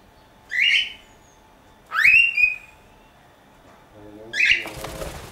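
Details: Pet cockatiel in Dortmund-Huckarde, Germany, giving three bright whistled chirps, the middle one sweeping sharply upward, spaced over a few seconds, ending with rustling and clattering noise.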